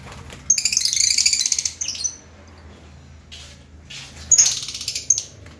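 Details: Lovebird chirping in two separate bouts of quick, shrill, buzzy twittering, the first lasting over a second, the second shorter, with a quiet gap and low hum between them.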